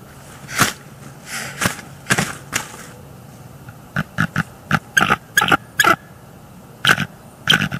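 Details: Nesting female bald eagle at night in northeast Florida, January 2021, defending her eggs and nest from an unseen threat by vocalizing and wing slapping: sharp broadband thumps, then clustered short harsh calls.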